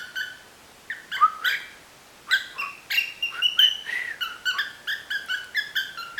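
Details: Tame female cockatiel whistles a lively tune of short, bright, rising and falling notes to her favourite person, raising her tail in apparent mating display.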